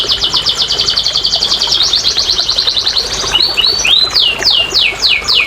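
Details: Canary singing to coax lazy, silent canaries into song: a long, rapid high trill of tightly repeated notes, then a sequence of clear descending swept whistles repeated about twice a second.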